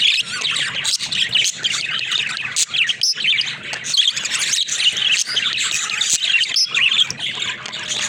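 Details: Pet budgerigars, described as talking budgies, keep up a dense, continuous high warbling chatter of rapid chirps and squeaky notes with brief clicks throughout, several birds overlapping.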